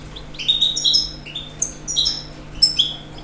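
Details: Rapid, high tinkling twitters and clear slurred whistles from a European goldfinch, delivered as a lively continuous phrase over quiet background hum.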